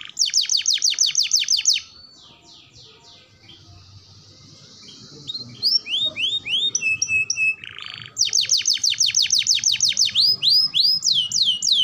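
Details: Canary singing on a recording meant to train young birds: long rapid trills of sharp descending notes at start and end, with quieter mixed whistles and a buzzy note in between.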